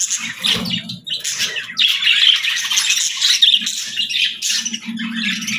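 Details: Morning calls from a pet parrot: a steady run of harsh squawks and chirps, repeated almost without pause, over a low background hum.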